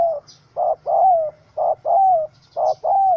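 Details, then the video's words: Angry wild spotted dove (Spilopelia chinensis) caught in a small rope trap, recorded 04/07/2017: loud, hoarse, low coos alternating short and drawn-out slurred notes, about six in three seconds, with faint high chirps from other birds. "Sound Of Angry, Wild Bird Trap With Small Rope: Birds Spotted dove(Spilopelia chinensis)"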